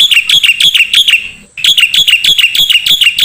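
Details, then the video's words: Training song for songbirds from a black-winged starling: loud, quickly repeated shrill chirps in two bursts separated by a short silence, each note sharply rising and falling. "MASTERAN KICAU Jalak Putih"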